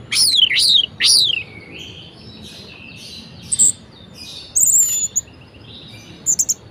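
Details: Orange-headed thrush kept as a cage bird, varied song meant to stir quiet birds to sing: two loud looping whistled phrases, then softer scratchy warbles and scattered high sharp notes.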